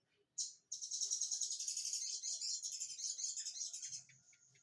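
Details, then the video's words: Olive-backed sunbird singing in the ciblek-like style: a dense, rapid, high-pitched twittering trill of quickly repeated sharp notes, running steadily for about three and a half seconds before fading, with faint low background murmur. "Sogon rasa ciblek"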